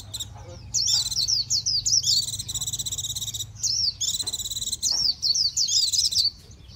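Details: High, continuous Japanese white-eye song of fast zigzag whistles and dense buzzy trills, broken by brief gaps, with a low hum in the background.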